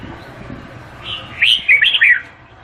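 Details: Vietnamese red-whiskered bulbul sings a single rapid phrase of clear, bouncy whistled notes that rise and dip, ending cleanly.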